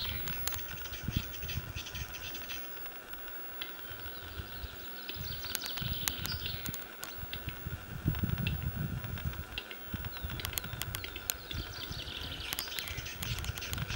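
A capercaillie gives sharp, dry clicks in short bursts, followed by hissing, scraping wheezes. Low wind rumble runs underneath throughout.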